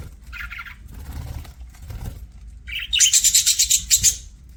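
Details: Pet budgerigar chirping: a short burst of bright, buzzy chirps early on, then after a quiet gap a fast run of rapid, pulsing high chirps lasting over a second, with a faint low rumble underneath.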